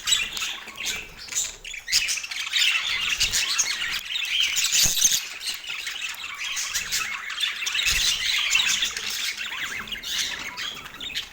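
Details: Parakeet feeding on an autumn morning in natural light, producing rapid squawks and chirps about three or four per second, with gaps and a single sharp knock midway.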